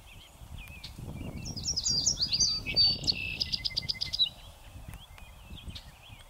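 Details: Song sparrow on a windy northern USA prairie delivers its song: a few short chips, then a bright jumbled phrase and a rapid even trill, with gusty wind rumbling underneath.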